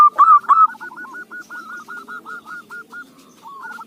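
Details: Local zebra dove recorded as lure sound. Two loud opening notes give way to a long, quieter train of quick, clipped, bubbling coos, ending with a brief final phrase.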